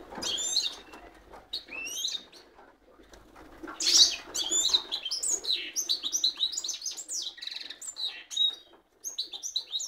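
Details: Full song of a cock goldfinch mule, a fast tumbling stream of high, liquid twitters and rising chirps that builds into a sustained, densely packed warble before one short gap.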